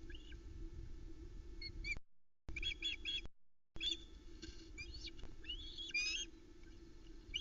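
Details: Ospreys clustering around the male at their Loch Arkaig nest, Scotland, when he arrives with a trout on a July evening, the family hungry: repeated high chirps and arched squeals with some wing-flap-like rustling and a low hum.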